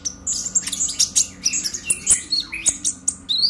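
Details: Purple-throated sunbird giving emotional chattering song used as a singing lure: crowded sharp high chips and squeaky slurs tumbling over one another, with a steady faint hum underneath.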